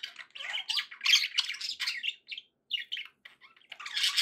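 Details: Cheerful pet budgies warble in rapid, scratchy chatter full of squeaks and clicks, a short lull midway before a loud final burst.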